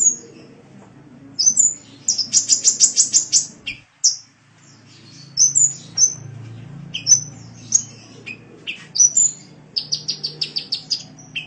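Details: Sunbird singing on a training recording for cage birds, mixing a fast rattling trill of rapid high notes, brief pauses, then scattered sharp chips and whistles and another quick trill at the end.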